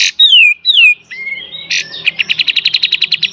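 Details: Singing kapas tembak kept as a cage bird, used as a master for training others: two clear downslurred whistles, a rising note, then a fast even rattle of sharp chips in the full beset style.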